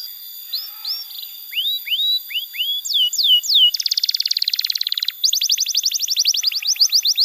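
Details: Canary song for training young canaries: soft notes, rising hooked whistles, three falling slurs, then two long, fast, buzzy rattling trills.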